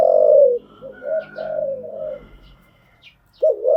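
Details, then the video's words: Spotted dove cooing, played to train newly caught birds. A loud coo opens, softer wavering coos follow with a faint thin whistle above them, and after a quiet spell a rising double note closes. "tiếng chim gáy dùng tập chim bổi mới hiệu quả"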